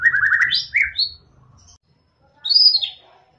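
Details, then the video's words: White-rumped shama song used to stimulate a reluctant singer: a quick trill of whistles, a few sharp upslurred notes, silence, then one high slurred phrase, with low hum at the start. "ampuh untuk pancing murai batu yang kurang gacor"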